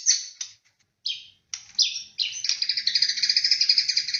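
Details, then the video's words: White-rumped shama (murai batu) song used as a lure: sharp high chips, then a fast rapid trill of repeated notes near the top of the range, very busy and energetic. "PANCINGAN BURUNG MURAI BATU PALING GACOR AMPUH"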